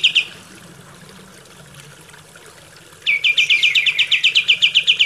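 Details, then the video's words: Kapas tembak song played as a training recording for captive birds: a brief high note, quiet gap, then a fast run of sharp, repeated chipping notes, about four per second. "MASTERAN KAPAS TEMBAK"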